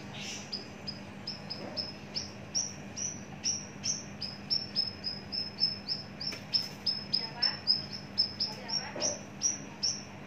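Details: Long-kept, mature Javan bush lark in a cage delivers a steady series of sharp, high chip-like whistles, about three per second, each note briefly dropping in pitch, with a faint background hum.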